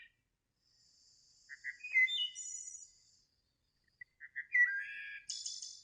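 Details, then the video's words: Wood Thrush song in Kentucky around the end of March: two loud fluty phrases, each with a few soft introductory notes, a clear rising whistle, then a high buzzy trill; otherwise quiet. "all right so last guesses in and it is Wood Thrush"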